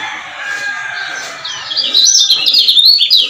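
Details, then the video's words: Male lemon-bellied white-eye from Lombok used as a lure to excite other males. Faint low voices fill the first second and a half, then bright, high chirps follow in a rapid, jumbled run until the end. "KECIAL KUNING GACOR PANCINGAN AGAR CEPAT EMOSI"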